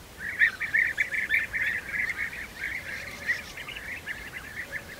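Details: European bee-eaters feeding young at their nest, heard as a chattering run of short, burry trills, louder early on, then a softer stream of overlapping notes.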